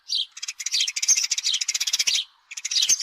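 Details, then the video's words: Dense, rapid chattering from a house sparrow, harsh notes run together into a continuous burst, then a brief pause and more chatter. "Sparrow bird call-صوت عصفور الدوري"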